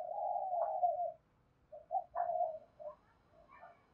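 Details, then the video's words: Spotted dove coo used to lure wild doves, heard fainter over a low background hum: a long steady coo, then short rising notes and a falling coo, with quieter fragments trailing off. "Tiếng chim cu gáy thúc bổi, bổi nghe rất nhạy gáy và về cội nhanh"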